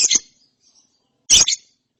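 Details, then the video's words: Young lovebird chick after therapy, making two short harsh high chirps about 1.3 seconds apart, each a quick double burst, with silence between. "ANAKAN LOVEBIRD NGERIWIK SETELAH DITERAPI"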